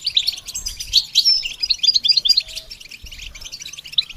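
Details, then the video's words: A goldfinch sings during song training, opening with bright, sparkling rapid notes that cluster densely in the first half, then thin out into softer scattered twittering. "The basics of training the goldfinch to sing"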